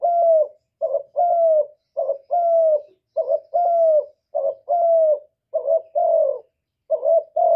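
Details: Spotted dove calling 'một hậu ròng': paired coos, a short lead note and a longer falling one, given over and over at a quick, fairly even pace with nothing else heard.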